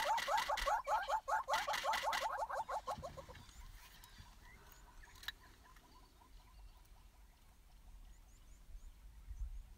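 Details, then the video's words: A wet courting pair of Southern Yellow-billed Hornbills on a bare branch after rain gives loud, rapid, rhythmic hollow clucks for about three seconds, then fainter, evenly spaced clucks continue. "A courting, clucking, bowing pair of wet Yellow-billed Hornbills"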